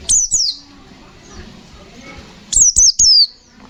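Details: Two sets of sharp, very high downslurred whistles from a white-eye (pleci), the second a quick three-note burst, in gacor ngalas nembak style.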